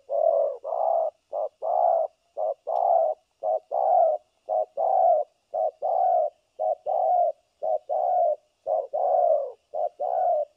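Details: Spotted dove decoy bird, tested for trapping in Vietnam on 3 December 2022, cooing continuously: low, soft, evenly paced coos of about half a second each, in long unbroken series, one roughly every second.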